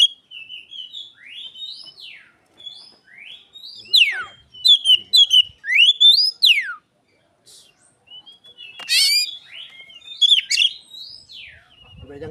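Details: Oriental magpie-robin imitating Asian pied starling, used to lure other magpie-robins: a run of arched, rising-then-falling whistles and loud, harsh chattering notes, a brief pause, then more sliding whistles and one sharp burst.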